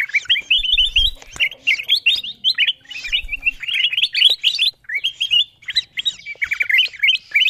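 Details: Wild-bird lure of the kutilang emas bulbul: tumbling phrases of liquid, rising whistles. Short pauses separate the phrases, and soft low knocks sound in the background.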